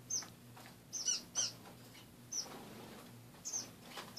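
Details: Caged pet finches in the morning give short, high chirps, scattered singly and in pairs, with quiet gaps between them over a faint low hum.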